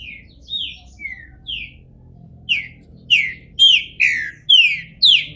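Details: Captive green-winged saltator in Brazil, bald while coming out of moult, opens with four soft, short descending whistles, pauses, then delivers six loud, ringing downward-slurred notes in quick, steady succession.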